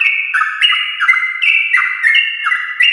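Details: Sooty-headed bulbul singing a fast, continuous 'ropel' song at morning to set other bulbuls singing. Bright, bubbling whistles alternate between higher and lower notes, with each short phrase dropping in pitch, repeated without a break.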